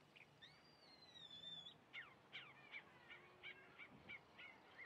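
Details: Singing chalk-browed mockingbird: a long, clear, slightly falling whistle, then a series of sharp, bright notes repeated about every third of a second, with quiet background noise.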